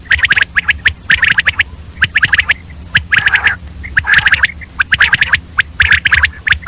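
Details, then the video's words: Common quail, female, heard early morning among mixed quail sounds: dense, overlapping bursts of sharp, rattling clicks in rapid groups, almost continuous, over a low background drone. "Batair ki awaz, Common Quail Calling Early morning , Female Batair Ki Awaz , Mix Quail sounds"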